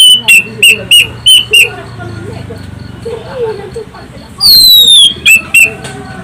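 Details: Lure song of an Orange-headed thrush, loud and shrill: five evenly spaced sharp whistled notes, a pause with soft background twittering, then a long high falling whistle and further clipped notes.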